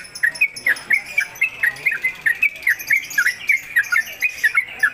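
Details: Caged Sooty-headed Bulbul in rolling song, suited for tutoring other birds: crisp, sharp chirped notes at a steady rapid pace, about four every second, in a small room.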